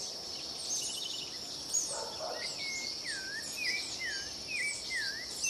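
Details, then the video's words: Rufous-bellied thrush (sabiá-laranjeira) singing short, clear, slurred whistles, rising and falling, over a steady high insect drone. "Sabiá cantando"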